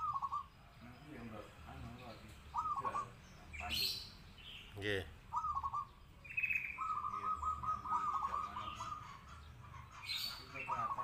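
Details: Zebra dove song for contests and daily listening: short, quick cooing trills repeated several times, one longer sustained phrase near the middle, and scattered high chirps from other birds over a hissy background.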